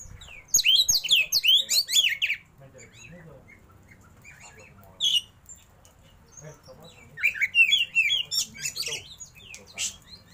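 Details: Oriental magpie-robin (kacer), a caged bird, singing repeated bursts of fast, sweet whistled notes with slurs and trills, separated by quiet gaps with a few sharp clicks.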